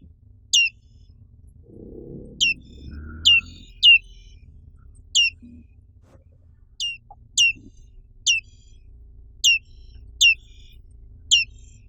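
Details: Indonesian black-capped white-eye calling a steady series of about eleven high, falling chirps spaced one to one and a half seconds apart, with a soft low murmur early on.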